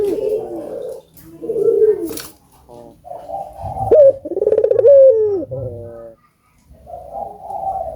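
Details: Repeated deep throaty coos from an albino collared dove, used to encourage other doves to call; short soft phrases build to two loud rolling coos around the middle, then a gap and another low coo.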